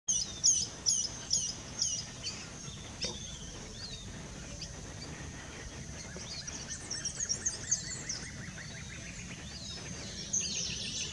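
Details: Brown-throated parakeets, the only parakeet in the coastal zone, give sharp, scratchy high calls in quick bursts, then softer chattering notes, over a steady hiss of outdoor background noise.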